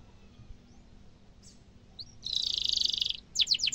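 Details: Singing canary, a lively trilling bird used to train young canaries, gives a few thin high chirps, then a dense buzzy roll held for about a second, followed by several quick sharp descending notes.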